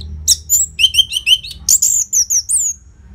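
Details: Rapid, energetic Orange-headed thrush phrase used to stimulate caged birds, northern Bali: a quick string of repeated short whistles followed by high twittering, slurred notes.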